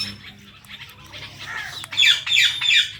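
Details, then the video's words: Captive Indian ringneck parrots, including a blue bird: soft murmured chatter at first, then three loud raspy squawks in quick succession at the end. "Our Blue Ringneck Parrot | Natural Parrot Chirping Sounds and Voices"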